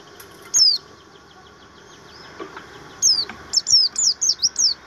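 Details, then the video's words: Caged Javan grey-throated white-eye giving training-material song: sharp, high whistled notes sliding downward, first isolated, then a fast run of five or six repeated descending chirps near the end over faint background noise. "pleci buxtomi materi"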